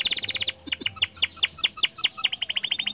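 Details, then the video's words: Canary song in the lively, nonstop gacor style, played to get other canaries singing; fast trills of sharp chirps, rapid buzzy rattles giving way to spaced bright notes, then a quick repeated chip series. "Suara Kicauan Kenari Gacor"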